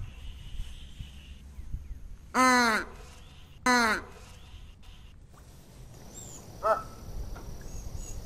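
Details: American white ibis giving two loud, hoarse, nasal honks about a second apart, then a fainter honk later, over a steady background hiss.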